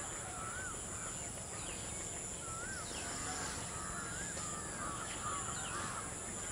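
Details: Perched as a pair on a dry Sheesham tree, Rufous treepies give looping whistled notes that bend up and down, several in quick sequence, with a steady high-pitched insect hum behind.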